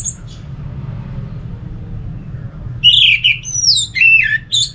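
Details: Orange-headed thrush, its song used as a lure for other thrushes: after a short high note and near-quiet, a loud phrase of rich whistles, high slides and downward swoops ends the clip, over a steady low hum.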